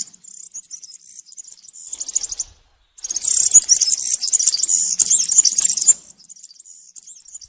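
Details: A serin sings in the forest, cante campero style recorded for young serins to learn: soft thin twitter, a short silence, a loud three-second surge of buzzy jingling, then quieter high notes.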